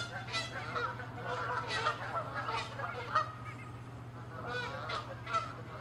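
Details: Canada geese in a territorial fight, chasing and attacking; loud nasal honks in quick bursts, several birds calling over one another, with a steady low hum behind.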